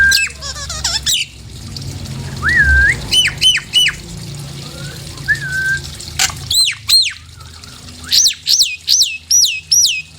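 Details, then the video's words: Lure calls of a Nias hill myna, used to agitate birds so they sing: mellow wavering whistles, then a burst of short, paired, high notes and a string of loud, arched whistles repeated about twice a second. "PANCINGAN SUARA JALAK NIAS"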